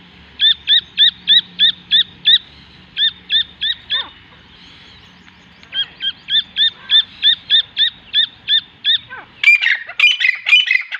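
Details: Partridge chicks giving high, hooked peeps in quick regular runs with a short pause midway, ending in a louder burst of overlapping, harsher chirps from several calling birds.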